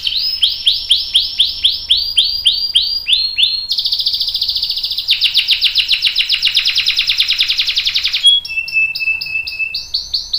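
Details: Canary singing a long rolling song used as a training master for young and adult canaries: series of bright downward-swept notes, then fast rapid trills and rolls, ending in a thin steady whistle and renewed sweeps.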